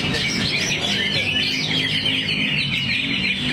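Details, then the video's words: Greater green leafbird pouring out its song material, a dense continuous run of quick twittering, chirping and warbled notes high in pitch, with a steady low hum underneath. "Cucak Hijau"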